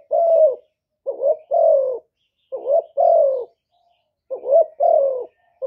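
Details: Spotted dove decoy cooing, used to lure wild doves, from Cà Mau, Vietnam: low, mellow phrases made of a short rising note followed by a longer, steady hooting coo, repeated in three groups with brief silent gaps.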